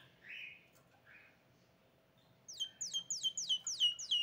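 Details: Hybrid canary (kamacho cross) sings a fast run of bright, down-slurred whistled notes, about three per second, after a couple of soft warbled phrases.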